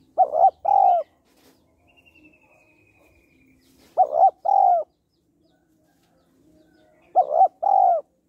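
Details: Female spotted dove cooing to rouse males: three loud phrases, each a clipped note followed by a long falling coo, spaced about three seconds apart, with quiet murmuring coos and a faint trill in the gaps.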